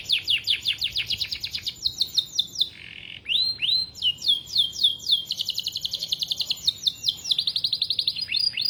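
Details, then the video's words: Canary (kenari) singing a fast, continuous song of rapid trills and repeated high chirping notes, shifting between rolling phrases with barely a pause. "Kicau kenari"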